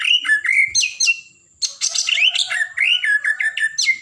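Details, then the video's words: Blorok white-rumped shama singing hard to rouse other birds: fast, varied whistles and scratchy chattering notes, a one-second pause, then a busy stream of rolling, repeated phrases. "Murai Batu Blorok Gacor, Buat Burung Emosi"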